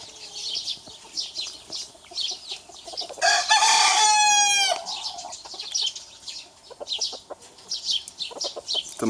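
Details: One of two roosters, small and big, crowing in challenge to each other; a single strong, rich crow of about a second and a half, then background chatter of many small birds and a few clucks.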